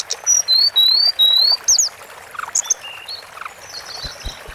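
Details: Masteran recording of a Sunda forktail: four loud, long, thin whistles in quick succession, then scattered softer high chirps over a quiet hissing background.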